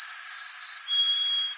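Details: Golden-crowned Sparrow giving its classic plaintive 'oh dear me' song as heard in California: pure, high whistled notes that step down in pitch, the last note long and held.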